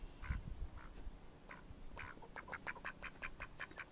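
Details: Mallard ducks recorded in May 2014: a few scattered harsh, nasal quacks, then a quick run of evenly spaced quacks, several per second, over low rumbling background noise.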